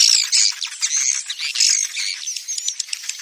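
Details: Swiftlet lodging call for attracting swiftlets into new or empty swiftlet houses: dense, high, buzzy twitters and chirps overlapping almost without pause, with no other sounds standing out.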